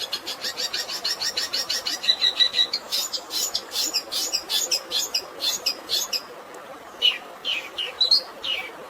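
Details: A long-tailed shrike gives a fill of fighting sparrow sounds, for stressed birds. A rapid run of ticking notes turns into loud, harsh, scratchy chirps, which thin out into scattered high squeaks and a brief whistle.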